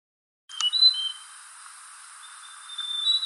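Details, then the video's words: Mountain tailorbird at Fraser's Hill, Malaysia, on 15 February 2023, giving very high, thin whistled notes: two short ones in quick succession, then a longer drawn-out whistle a second later, over faint background hiss. "Mountain Tailorbird"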